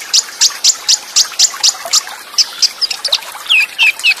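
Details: High sharp notes from an olive-backed sunbird (konin) repeated about four times a second with tight pauses, then quicker twittering and looping slurred whistles. Full fill-in song with cililin bursts, fast rolls and tight pauses.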